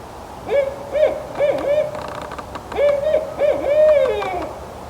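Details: Wild Barred Owl hooting up close in forest at Wasaga Beach, possibly calling to its mate: two phrases of rhythmic, rich hoots with drawn-out, wavering inflections and slurred ends, in a quiet woodland setting.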